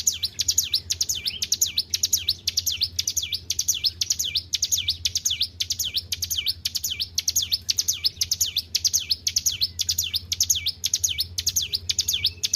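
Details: Well-kept white-browed shortwing singing at length: a long, unbroken series of high, sharp whistles that fall and rise in a V, roughly two each second, with clicks between them and a low hum underneath.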